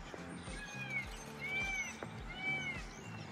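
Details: A peacock heard from across Kusum Sarovar lake in Vrindavan gives three loud, wailing, arched cries about a second apart, like a child crying, while a man talks over them.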